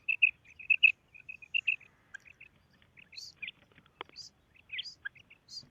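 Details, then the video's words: Female quail calling: short paired chirps repeated in quick runs, with another bird giving higher squeaky notes and a sharp click midway. "Female Quail Calling karkari Maadi Ki Awaz"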